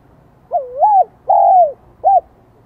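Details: Spotted dove in Vietnam delivering its 'giọng son' style song, a high voice type: one mellow phrase of a dipping two-humped coo, a drawn-out falling coo and a brief final hoot, with faint low rumble behind.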